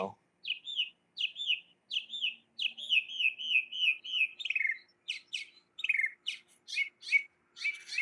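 A mockingbird sings a fast medley of varied phrases: repeated slurred whistles, then trilled notes and harsh chirps, each motif given a few times before switching.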